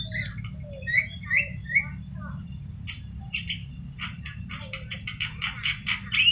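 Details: Javan myna with yellow eyes in full song, a recording meant to teach other birds; a few clear whistled notes open, then scratchy chirps speed into a fast, buzzy run of repeated notes over a low hum.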